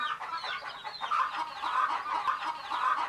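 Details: Sleepy baby chicks of a hen, a group chirping together: a dense chorus of soft, overlapping peeps that rise and fall, blending into a steady twittering murmur without pause.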